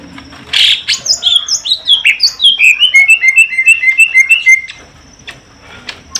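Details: Greater green leafbird, male and female caged together for pairing in Indonesia; a loud chirp opens a fast sequence of clear whistled notes that step downward and level off, then fade to quiet.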